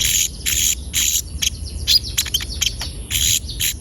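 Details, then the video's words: Konin giving lively bursts of sharp, high chippy notes and quick twittering phrases, played as lure audio to get other konin singing; a steady thin high whine runs throughout. "Pancingan suara burung konin gacor"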